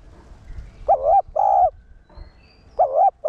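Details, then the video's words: Spotted dove calling to stimulate caged males, one-tail-note style: a wavering coo and a longer mellow coo, followed by the start of the next phrase, over low background murmur. "Cu gáy mồi cây 1 hậu gù, thúc kích bổi điên máu ức chế. cu đất gáy"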